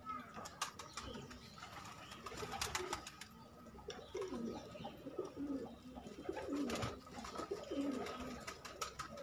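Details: Hobby-kept pigeons coo again and again in the second half, with low rolling phrases about once a second. Wing flutters, clicks and shuffling from the birds are heard around the calls.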